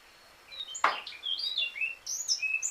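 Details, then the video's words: Eurasian blackcap singing a varied, rapid warble of short whistled and twittering notes that jump between high and very high pitches, with one sharp broadband click partway through. "La Curruca Capirotada"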